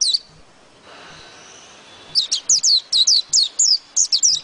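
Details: After a quiet opening, a white-eye launches into a fast sequence of high, clear chirps, each a sharp falling slur, spaced evenly and bright in tone.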